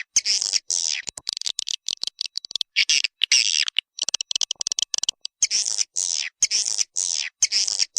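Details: Swiftlet lure call of the 'Walet Naga' type, dated 2021, meant to draw swiftlets in: high, harsh twittering bursts alternating with quick clicking runs, the longer buzzy chirps coming in steady pulses toward the end.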